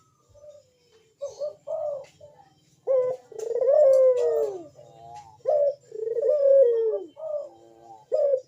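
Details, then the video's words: Lure calling from a Barbary dove (burung puter), loud and frequent in the bekur style: a series of short coos and two long falling coos over eight seconds, with a faint low hum beneath. "Burung puter Rajanya bikin gacor‼️suara Bekur besar super tajam manggung merdu mengundang bunyi"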